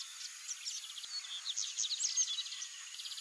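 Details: Copper seedeater singing quietly in a high register: rapid twittering notes and short trills run together for over three seconds against a faint steady hiss.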